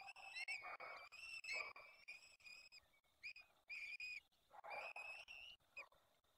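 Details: Peregrine falcons at a nest in Poland's Barycz Valley during an evening feeding, 23 April 2020 at 19:28; loud, harsh, whining screeches in overlapping bursts, some breaking off sharply, with a brief pause midway.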